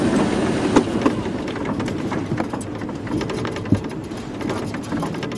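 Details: A vehicle engine drones and rattles throughout, with occasional knocks and no animal calls.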